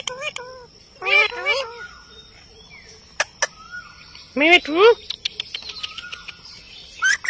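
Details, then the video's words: Talking Indian ringneck parakeet at a mirror gives clustered nasal, speech-like syllables that sweep upward, then a rapid series of faint ticks and a few soft whistled tones. "INDIAN RINGNECK TALKING PARROT"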